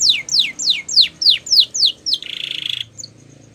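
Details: Canary training song: a run of seven steeply falling whistled sweeps, about three per second, breaking into a short buzzy rattling trill, then a faint high note.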